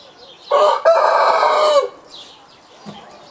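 A Citron-crested cockatoo gives one loud, harsh, grating screech lasting over a second, briefly broken near its start, followed by quiet background.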